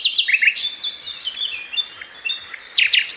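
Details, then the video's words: Varied twittering song of a sikatan londo for masteran training, with quick rising and falling whistled phrases, sharp high chips and slurred notes tumbling over one another without a steady beat. "suara masteran sikatan londo (tembakan mantap)"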